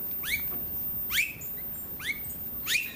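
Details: On Queensland's Sunshine Coast in October 2022, an Australasian figbird calls with four sharp notes that drop steeply from high to a curled whistled end, spaced under a second apart.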